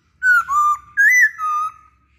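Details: Masked laughingthrush lure song to encourage other birds to sing: four loud, pure whistled notes in two pairs, each falling slightly in pitch.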